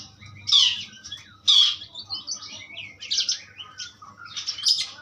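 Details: Asian pied starling singing in bursts: loud harsh squawking notes alternate with thinner whistles and chattering phrases, a low electrical hum beneath.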